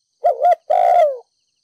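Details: Urging 'thúc gù' coo of a Ninh Thuận spotted dove decoy, 'đồng pha thổ' voice, meant to rouse decoy doves. A quick two-lobed low note, then a sustained coo that slurs down at the end, with clean silence around it.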